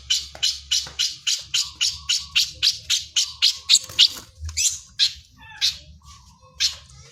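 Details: Long-tailed shrike song carrying lovebird imitations, made of evenly spaced harsh, squawky chattering notes about three per second, breaking into irregular rasping squawks toward the end.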